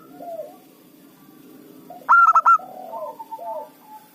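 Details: A local zebra dove, kept as a loud-voiced lure for catching wild rivals, delivers one sharp burst of four quick hollow coos midway, framed by quieter descending coo notes before and after.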